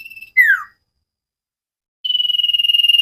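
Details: Common iora cage bird on a training recording, very vocal: a steady trilled whistle, then a short downward-slurred whistle, a pause, and a long buzzy trilled whistle held evenly.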